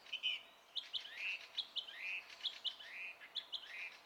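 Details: Song thrush song dated 27 April 2016, with clear phrases of short sharp notes each followed by a slurred, dipping whistle, repeated roughly every half second against a quiet background.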